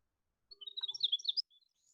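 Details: A Winter Wren sings a fast, jumbled song: about a second of rapid, high tinkling notes, then a few faint trailing notes, over a low steady hum.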